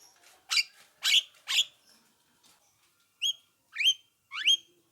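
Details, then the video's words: Javan myna lure recording played back to draw replies from other mynas: three harsh, rasping bursts, then after a pause three sharp rising whistled notes, each sweeping upward. "apapun jalaknya jika diputarkan suara jalak kebo ini pasti langsung nyaut"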